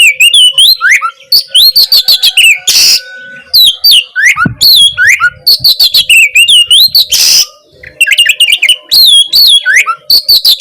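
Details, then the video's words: Long, nonstop Oriental magpie-robin song used to goad a sluggish bird into singing; rapid repeated looping whistles, two harsh bursts and a faint steady low hum in the background. "Masteran Kacer gacor ampuh memancing Kacer macet malas bunyi langsung nyaut gacor!"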